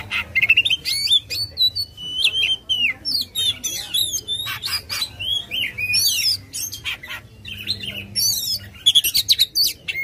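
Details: Singing aggressively with its tail open, an Oriental magpie-robin used as a lure for a silent bird; loud, varied whistled notes, slurred upsweeps and quick chattering bursts follow one another continuously.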